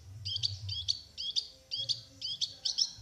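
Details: Prize-winning long-tailed shrike from Plaosan giving a run of high, paired chirping phrases, about seven in three seconds, over a faint low rumble.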